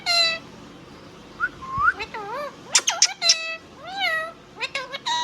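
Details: Pet Indian ringneck parrot talking: a drawn nasal note, soft rising whistles, wavering speech-like phrases and sharp clipped syllables near the end.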